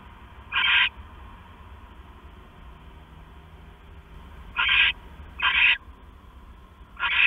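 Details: Owl at night, 6 September 2015, while the male brings a mouse to the female; four harsh screeches, the first alone, then three in quicker succession about a second apart, over a steady low hum.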